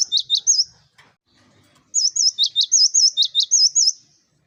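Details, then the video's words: Lively song of a cinereous tit (gelatik batu), used as a master recording to draw in flock birds: three quick high phrases, a gap of over a second, then about nine sharp two-note whistles in a steady run. "Gelatik Batu Gacor l Masteran Ampuh Untuk Pancingan Burung Ombyokan"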